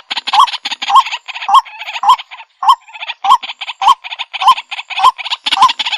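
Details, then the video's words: Repeated waterhen (jal murgi) calls, about ten in six seconds at a steady pace: each a sharp, slightly rising hoot, blended with coarse, scratchy chatter between notes. "Jal Murgi Ki Sound | Jal Murgi Call Voice"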